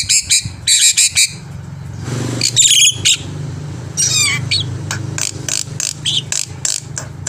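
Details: Black-winged myna song meant to stimulate birds to sing: loud chattering squawks, a descending whistled slur and scattered short chips at irregular intervals, set over a continuous low mechanical hum.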